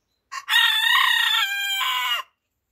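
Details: Cockerel heard crowing in the morning: one quick introductory syllable and then a sustained, loud, rasping crow of nearly two seconds, steady before a lower final section that trails off, with no other sounds.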